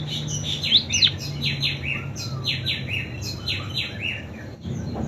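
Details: Munia with canary-imitation song: two sharp high notes, then a series of buzzy downward-sliding phrases and soft twitters over a steady low hum.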